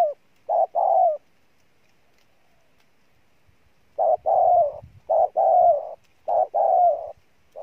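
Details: Spotted dove, a newly caught wild bird, in strong cooing: one two-part phrase, a pause of almost three seconds, then quick repeated short-and-long coos, with faint low rustling underneath.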